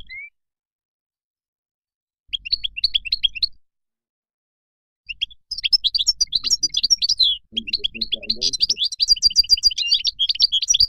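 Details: Moroccan goldfinch singing a thin whistled note, then a short twittering burst, followed by a long fast stream of high, jangling and buzzy notes, with a faint lower murmur partway through.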